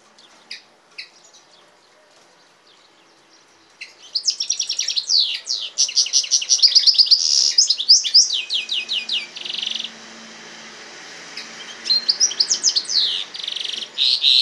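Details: European goldfinch x canary hybrid starting with a few scattered notes, then bursting into sustained rapid twittering with sweeping chirps and a buzzy rattle, a low steady hum underneath, another twittering phrase at the end.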